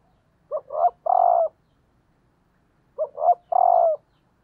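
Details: A female spotted dove used as a lure calls to excite males. It gives two identical phrases about two and a half seconds apart. Each has two quick coos and then a long, steady, slightly descending coo. The background is clean.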